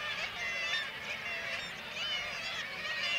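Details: Kittiwake colony in Varangar, Norway, under attack by white-tailed eagles hunting chicks; many harsh, bending calls overlap in a continuous din, with brief clearer notes standing out above the mass.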